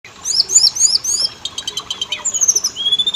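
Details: Oriental magpie-robin song used as a lure to set males and females singing: bright, high whistled phrases with quick slurred notes, then a rapid run of sharp ticking notes and long thin descending whistles.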